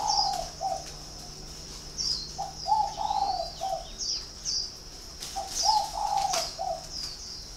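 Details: Spotted dove cooing in three or four groups of soft, hollow, low notes across the recording. Small birds add sharp high chirps alongside, with a light steady hum underneath.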